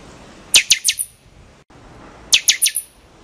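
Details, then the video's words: Buffy-fronted seedeater, known in Brazil as pixoxó, repeats a sharp four-note phrase twice, under two seconds apart; the notes are loud, cracking and falling in pitch. "O Canto do PIXOXÓ (Sporophila Frontalis) Bird Song - Buffy Fronted Seedeater"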